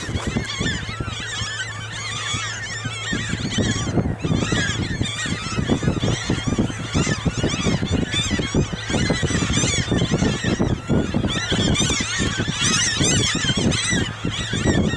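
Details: A large flock of hungry Franklin's gulls follows a tractor harrowing a field for spring planting at Grand Forks, North Dakota, on 13 May 2013. They keep up a dense chorus of nasal, yelping calls over the tractor's steady low engine drone.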